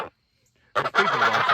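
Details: Farm goose honking at the camera, jokingly said to be greeting the viewers; a short harsh nasal honk after a brief broken note, loud and close.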